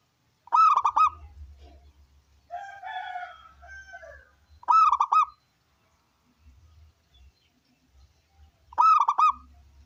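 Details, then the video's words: Loud local wild zebra dove, meant to draw other doves into singing; three rolling bursts of rapid throaty coos roughly every four seconds, with a drawn wavering note after the first. "Masteran Perkutut Lokal Gacor Suara Besar"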